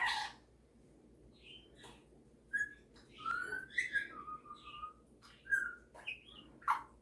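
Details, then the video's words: Male pet Superb parrot, kept indoors, showing off singing and mimicking: a short run of clear whistled notes, some rising and some falling, separated by quiet gaps over a soft steady hum. "Superb Parrot Malibu showing off his singing and mimicking skills"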